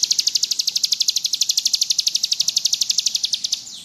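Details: Bar-winged prinia in gacor ngebrem song, for tutoring: a steady, very regular high trill of sharp pulses, about eight per second, fading out at the end.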